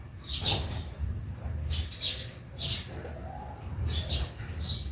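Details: Sparrows in a backyard give short, bright chirps in loose bursts every second or so, over a steady low rumble of background noise.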